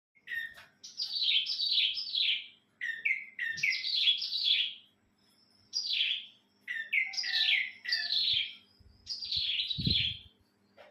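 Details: Kept bird singing cheerfully on a bright morning; repeated phrases of quick descending warbled notes, each about a second long, separated by short pauses, with a faint low hum and a soft thud in the background.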